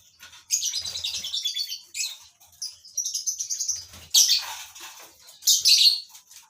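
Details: Lovebirds in a captive colony breeding setup give shrill, high chattering bursts in quick, uneven runs, with a few sharp squeaks between them and faint low thumps underneath.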